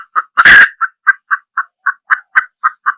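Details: Female junglefowl hen giving short clucking notes, about a dozen in three seconds, evenly repeated, with a loud harsh burst near the start.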